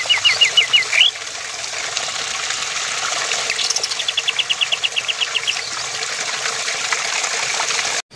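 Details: Male sooty-headed bulbul singing as a training and lure recording for contest birds: a fast burst of five whistled notes, then a long even run of short repeated notes, against a constant watery hiss.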